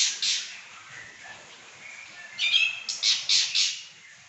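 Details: Vigorous Pekin robin song: an opening high chirp, a soft thin trill, then a burst of five rapid, bright, piercing notes late in the phrase.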